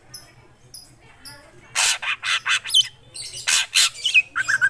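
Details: Black drongo in full song: a few soft high chirps, then a dense run of loud harsh rasping notes mixed with short whistled slurs, ending in quick chattering notes.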